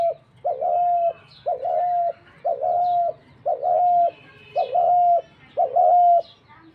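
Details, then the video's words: Dove giving a run of six evenly spaced calls, each a short lead-in note followed by a longer level tone, about one per second, with faint high chirps behind. "Dak Gugu pakhir dove"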